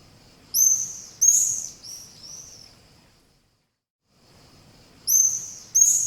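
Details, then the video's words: Swallow giving high, thin chirps: two loud sharp notes, then two softer descending twitters, a brief silence, and two more loud chirps at the end. Faint background hiss. "Efeito sonoro de andorinha"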